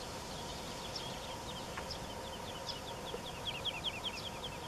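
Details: Woodlark singing in Wendland, Germany, on 21 June 2018, with sparrows chirping: faint high series of short slurred notes repeated quickly, half-buried in steady broadband background hiss.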